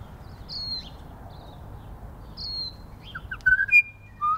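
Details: New Zealand bellbirds feeding in snow on the first day of spring; a quiet start with faint high whistles, then a cluster of short clear whistled notes and a sliding note near the end.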